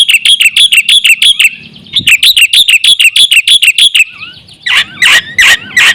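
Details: Energetic Black-winged myna song meant to lure other mynas: rapid strings of sharp, ringing high notes, then a short rising whistle and a few louder, rougher calls at the end.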